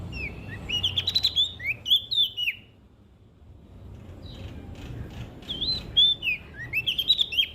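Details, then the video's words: Olive-backed tailorbird from West Nusa Tenggara singing hard, used as a lure to get silent birds singing: a burst of rapid high whistled notes, a pause of about three seconds, then another run of sharp rising and falling whistles. "PRENJAK DAUN NTB GACOR buat Pancingan Burung Malas Bunyi"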